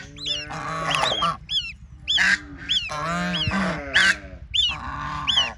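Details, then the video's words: Ducklings at play in water give thin, high, up-and-down peeps mixed with deeper, rasping, honk-like calls in short bursts, over a constant low droning hum. "Cute Baby Ducks Playing in Water 🐥 | Relaxing Duck Sounds"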